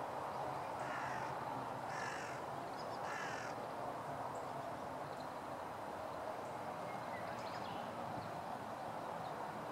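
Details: Crows in conflict with a Northern Goshawk, gradually closing in on it, recorded 2016-04-04; three harsh, hoarse caws in quick succession during the first few seconds, then only steady rushing background noise.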